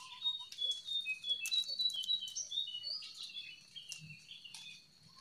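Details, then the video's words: Wild jongkangan song used to stir quiet captive birds into singing: quick, squeaky, high chattering notes in rapid runs, with soft pattering and low clicks behind. "SUARA JONGKANGAN DIALAM BEBAS SANGAT COCOK BUAT PANCINGAN JONGKANGAN ANDA YANG LAGI DIAM"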